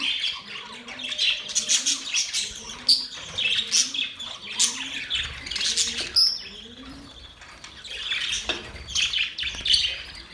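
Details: Budgerigars chirping and singing as mating sounds, a lively stream of chattering warbles and sharp chirps with occasional squawks, plus soft rising low notes underneath.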